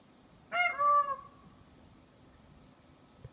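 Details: Peacock (uploader unsure whether it is a peahen) on a roof in Dublin, Ireland: one loud, nasal, two-part wail, a short rising note sliding into a longer flat honk, then quiet with a low background rumble.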